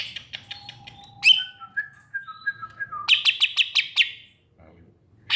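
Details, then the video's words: Greater green leafbird delivering a quick series of ticks, a descending chain of clear whistled notes, then a fast rattling burst of bright chirps before a short pause. "Burung Cucak Ijo"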